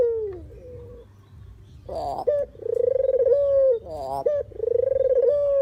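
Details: Puter or deruk dove, a recording for lure trapping; a soft falling coo opens, then rough rolling bursts and pulsing purred notes that stretch into long steady tones.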